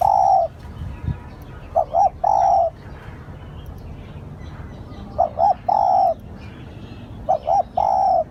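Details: Spotted dove lure call used to attract wild doves: a long coo ends one phrase, then three phrases follow, each two short coos and a sustained soft hoot, gaps of one to two seconds; low background hum.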